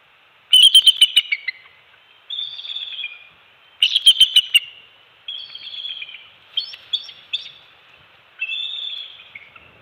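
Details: Bald eagles calling at their nest on Captiva/Sanibel Island, Florida, early morning of December 27, 2020, during a shift change and fish feeding for two-week-old eaglets; staccato high chips run into slurred, descending whistled notes, repeated in bursts.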